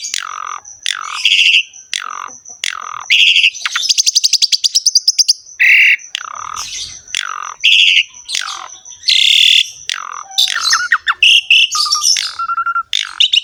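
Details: Javan pied starling in a long 'ngerek' bout, used as tutor sound for caged starlings: repeated harsh swooping squawks, a fast buzzy rattle, and later mixed whistles and chatter, with a thin constant high tone.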